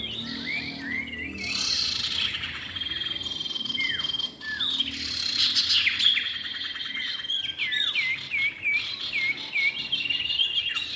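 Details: Common iora, male and female, used as a trapping lure: dense high whistled phrases with quick downslurred notes and short trills, rising to rapid repeated looped notes near the end, over steady high hiss.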